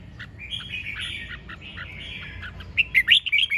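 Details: Red-whiskered bulbul song: a long run of chattering warbled notes, then a loud burst of sharp, rising whistled phrases near the end, over a low background rumble.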